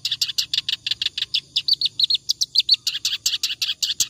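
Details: Clamorous reed warbler in nonstop ngacor song, suited for teaching other songbirds: unbroken string of loud, harsh, churring notes at a steady quick rhythm, some phrases slightly higher and clearer in the middle.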